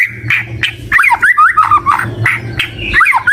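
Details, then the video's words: White-rumped shama singing richly: clear whistled notes swooping and bending between mid and high pitch in short phrases, punctuated by sharp clicks, over a steady low hum. "Murai Batu Gacor dengan Suara Merdu"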